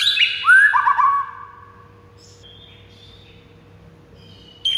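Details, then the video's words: Rival-provoking white-rumped shama song: a brief cluster of bright whistles and slurred downward notes, then near silence with a faint thin whistle and a short burst at the end. "99% AMPUH pikat Murai batu lawan yang MACET jadi NGAMUK"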